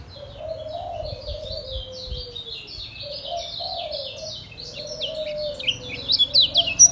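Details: Ngejos selow song of a caged white-eye from Lombok (kecial kuning): dense, continuous high twittering with quick slurred notes, while a lower drawn-out whistle sounds beneath it.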